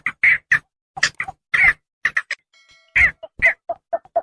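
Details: Javan pond heron calls played as a hunting lure: grating squawks alternate with lower, shorter clucking notes, and a faint thin tonal sound appears briefly in a quiet gap midway.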